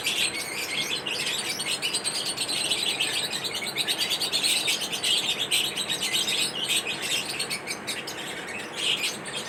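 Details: Lovebirds chirping during mating rituals, a thick, constant twittering of rapid high notes with quick ticking pulses and occasional louder bursts throughout.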